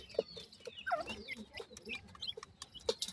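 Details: Grey francolin (teetar) babies calling: a few clear, thin chirps that slide downward, one drawn-out falling note near the middle, amid low clucks and occasional knocking sounds.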